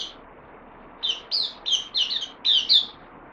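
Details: Bulbul newly on loan, 12 September 2020: after a brief pause comes a run of about six rich, warbled whistled notes, several given in quick pairs, over soft background noise.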